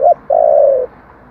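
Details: Brief spotted dove phrase in the 'thổ' style, meant to rouse wild doves: a short clipped note, then a smooth, sustained, gently falling coo.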